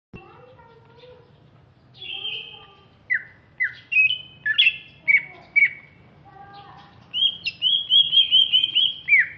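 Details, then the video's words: Greater green leafbird from Alas Purwo, Banyuwangi, East Java, described as larger-bodied and fierce-looking; varied song of loud whistled and slurred notes, mostly high, with a rapid run of repeated chirping phrases near the end. "Cucak Ijo Alas Purwo Banyuwangi"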